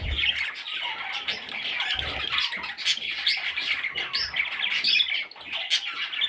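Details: Baby parrot chicks giving a dense, continuous chorus of harsh, raspy squawks and scratchy chirps that overlap without pause, with a few soft low thumps early on.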